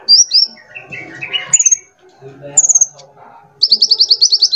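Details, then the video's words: Varied sunbird song used as a lure for other birds: a quick high phrase, softer lower twittering, two short high rattles, then a rapid run of a dozen sharp repeated notes. "KOLIBRI GACOR // PANCINGAN MASTERAN TERBARU SANGAT AMPUH & EFEKTIF"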